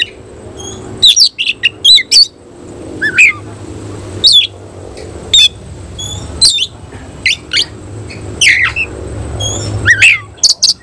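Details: Semi-Cililin oriental magpie-robin with tail opened in display, giving scattered short sharp squeaks and brief whistled slurs at irregular intervals, separated by quiet gaps with a low background hum.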